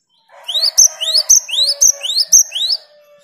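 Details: Singing great tit responding to a lure bird: five or six repeated two-part phrases, a rising whistle and a sharp high note, evenly paced about two per second over a faint low background.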